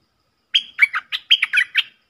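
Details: One rapid stripe-throated bulbul phrase from a decoy song: a level whistled start, then a burst of chattering, swooping notes over about one and a half seconds.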